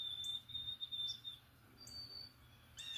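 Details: Morning song of an unidentified bird, a pretty little tune of thin, high, steady whistles, each held about half a second and shifting between pitches, heard faintly over a quiet background hum.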